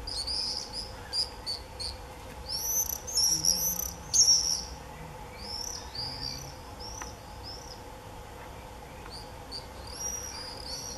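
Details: Common swifts in early July 2018 giving shrill, buzzy screams in quick bursts, most frantic in the first seconds before thinning out, over a steady low background hum.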